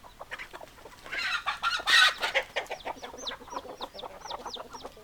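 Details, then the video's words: Chickens clucking loudly: busy, overlapping clucks build to a harsh, noisy burst of squawking, then a series of short, high, rising squeaky calls repeats about twice a second among continued clucking. "Chicken Sounds Noises Hens Clucking Roosters Crowing"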